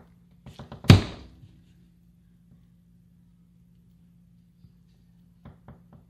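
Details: Indoor room sounds of a loud thunk like a door or object striking, a few soft taps and a low electrical hum, with no animal sounds.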